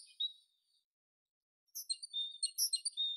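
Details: Tit giving a brief high note, then after a pause a quick run of thin, high chirps and short twittering notes that rise and fall.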